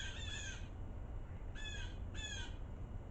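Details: Blue jays scolding in the snow amid a winter storm: three harsh, grating jay calls with slurred downward bands, spaced about a second apart, over constant low wind noise.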